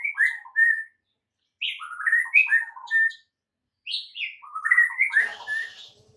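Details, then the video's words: White-rumped shama master song for training caged birds, meant to rouse quiet birds into full song: rich whistled phrases of varied notes in three bursts separated by short silences, ending in a buzzy, scratchy flourish. "MASTERAN Murai Batu MANDEK & BISU seketika jadi NARUNG plus NGAMUK mendengarnya"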